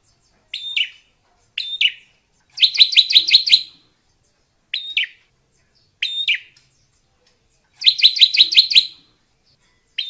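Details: Drongo in the wild alternating single sharp metallic notes with fast, even rattles of about eight quick repeated notes, in a clear, quiet setting.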